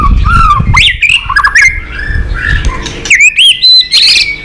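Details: White-rumped shama in fighting song, flicking its tail to goad a rival: varied fluty whistles and slurred notes, then a series of loud, sharp, rising chirps, over low thumping background noise.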